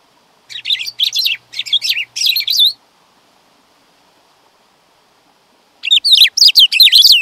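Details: Black-throated grosbeak song: a burst of about a second and a half of short, sharp, descending notes, repeated four or five times. A long silence follows, then a second burst of similar rapid, high, slurred notes. No other sounds.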